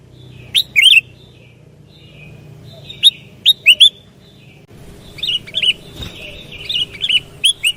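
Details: Sooty-headed bulbul song used as a lure for trapping: short bubbly whistled phrases, rising and falling, come in scattered bursts with long quiet gaps over a faint low hum.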